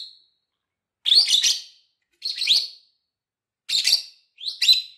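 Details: Lovebird chirping meant for teaching other lovebirds: four harsh, rasping bursts of high squeaky notes, each under a second long, spaced about a second apart with silence between.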